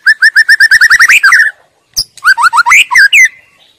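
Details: Melodious wild white-rumped shama song: a tight series of clear, identical whistled notes accelerating into rising slurs, a short break, then a second run of upswept and looping whistles.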